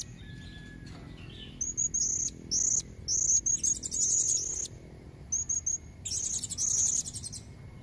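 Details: A female blue-crowned hanging parrot calls to attract red-necked males. After a quiet start, bursts of high, sharp squeaks and rasping trills come in clusters, ending in a dense buzzy phrase.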